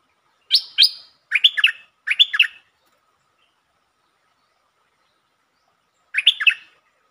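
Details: Streak-eared bulbul, 13 February 2023, delivering song phrases: two sharp high notes, then three short buzzy warbled bursts in quick succession, silence of several seconds, and one more chattering phrase.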